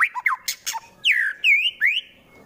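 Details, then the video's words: White-rumped shama, Wonosobo, Central Java, rough 'tembakan' song used to make rival birds angry and fight: mixed whistled slurs and harsh rasping bursts, then three loud drawn-out whistles, falling, arched and rising. "MURAI BATU FULL TEMBAKAN KASAR Sangat Cocok Dijadikan Lawan agar cepat Emosi dan Fighter"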